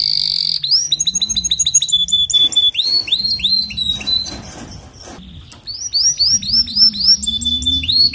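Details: Canary singing, meant for playing to a canary that sings weakly: fast high trills of repeated upswept notes, a steady held whistle, and a softer buzzy stretch before the rolling phrases return strongly.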